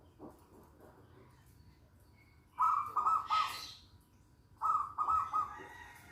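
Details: Local zebra dove in full song: two phrases of three mellow, mid-pitched cooing notes about two seconds apart, a short hiss following the first phrase, over a quiet background.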